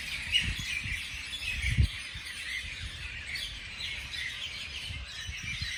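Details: Morning birdsong with faint overlapping chirps and short whistled notes high in pitch, set over low rumbling background noise and a few soft thumps.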